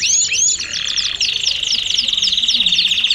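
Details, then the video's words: Belgian canary among common canaries giving a short burst of song: quick descending whistled notes that shift into a fast, even, chattering trill held at one pitch. "Canários do Reino e Belgas - Canary Belga"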